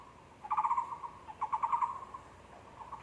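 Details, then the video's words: Taiwan barbet calling at a zoo on 24 February 2020: two bursts of rapid low hollow notes near one pitch, each a quick stuttering run of about six knocks, with a faint third note starting at the end. "五色鳥叫聲（The Calling of Taiwan Barbet）"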